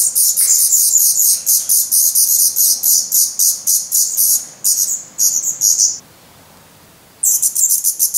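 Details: Black Redstart nestlings at the nest in Portugal on 17 May 2020, hungry and growing quickly, beg with rapid thin squeaky calls about four per second, fall silent for roughly a second, then burst out again.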